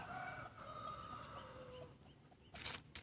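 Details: Beautiful decoy chicken crowing: a long, drawn-out tonal call of nearly two seconds that slides gradually downward in pitch, then a few sharp knocks in a noisy outdoor setting.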